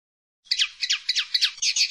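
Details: Song of a common linnet recorded in 2016: a chattering sequence of quick, twittering, downslurred notes in short bursts, high-pitched and slightly scratchy.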